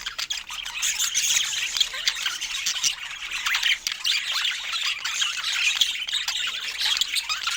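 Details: Budgerigars kept as pets chatter at fruit time: a steady stream of shrill squeaks, clicks and warbled notes layered over one another with no pauses.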